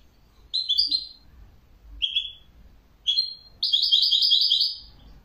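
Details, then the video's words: Bird song in short high chirped phrases separated by brief pauses, ending in a longer rippling run of rapid twittering notes. "تغريد جميل لطائر جميل"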